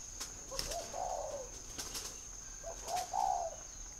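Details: Spotted dove kept in a bird garden in northern Vietnam, delivering two soft, hollow coo phrases, each a short lead-in note followed by a longer purring coo, with sharp ticks and clicks and a steady high hum.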